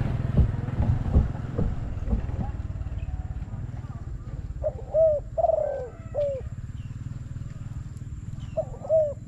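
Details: Spotted dove calling to a decoy during a bird-trapping contest. Low rumbling noise fills the first half, then a few soft cooing phrases appear, each a short note followed by a longer falling coo.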